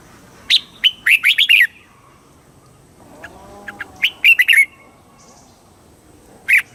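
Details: Red-whiskered bulbul song in the southern master style from Thailand, used to rouse birds and train youngsters; two bubbling phrases of quick chirped notes and a single closing note, with a soft low trill between.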